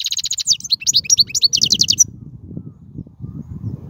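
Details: Wild European goldfinch singing, recorded for training young birds: two seconds of fast, bright twittering and short trills over a steady low rumbling background noise that continues after the song stops.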